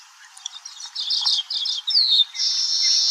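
Baya weaver song: a run of high, scratchy chatter that builds into a long, wheezy buzzing hiss at the end.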